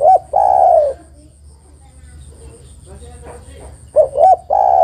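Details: Calling female spotted dove: a long low coo opens, then a quiet gap with faint background murmuring, then two clipped notes and another drawn-out coo. The female is calling to the male.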